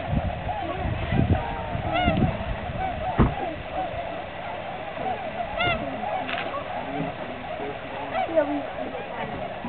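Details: About 2,478 tundra swans on migration at the Aylmer Wildlife Management Area on 15 March 2009 keep up a steady babble of soft, high, bugling hoots with a few louder whoops, while people talk nearby.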